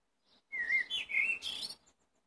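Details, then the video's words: Blackbird delivering a clear whistled phrase, a smooth descending note then two wavering mellow notes, finished by a rushed squeaky high twitter. "Black bird singing"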